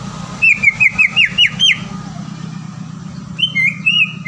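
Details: Green leafbird song meant to lure a rival into singing: a fast run of six bright, rising-then-falling whistled notes, a short pause, then a wavering whistled phrase, with low steady traffic-like hum beneath.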